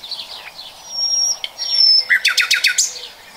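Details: Nightingale singing in 2020: thin, pure whistles and soft twitters, then a burst of about five loud, rich repeated notes in quick succession.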